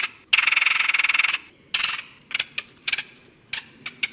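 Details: Red-headed woodpecker, a bird of North America including Canada: harsh, buzzy churring calls, opening with a long grating note of about one second, then shorter rasping bursts at irregular intervals.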